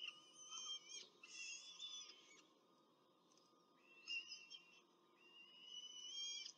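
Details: Peregrine falcon feeding its chicks at a Rome nest, April 2024: two bursts of high, strained wailing calls with sliding pitch, separated by a quieter pause.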